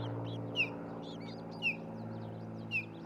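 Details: Osprey pair building a nest near Charlo, Montana, on a nest camera, 27 June 2018, early afternoon: three sharp, high, downslurred whistled chirps, about one a second, over a steady low electrical hum.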